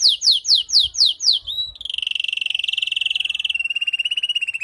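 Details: Female canary calling to prepare and stimulate a male canary after moulting: six loud descending slurred notes, then a long rapid buzzy trill that drops slightly in pitch and continues steadily to the end.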